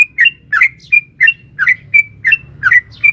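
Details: Sooty-headed bulbul, a female calling a male in a long rapid 'ropel panjang' song used to provoke caged bulbuls: short bubbly mid-pitched notes with clear whistled tails, about ten notes in three seconds, faint low hum beneath.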